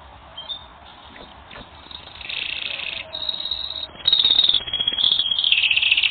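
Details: Canary on a training recording, faint at first, then building into buzzy rolling trills and a high sustained whistled tour that grows louder toward the end.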